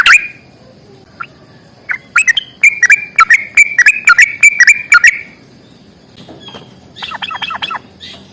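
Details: Sooty-headed bulbul in 'gacor tarung' fighting style: a loud opening note, then a quick rattling series of sharp chirps for about three seconds, a pause, and a softer, faster trill near the end.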